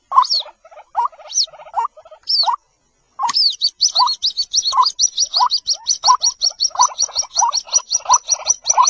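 A White-breasted waterhen chick gives thin, high peeping notes, each paired with a lower buzzy chirp, speeding into a steady run of about three per second.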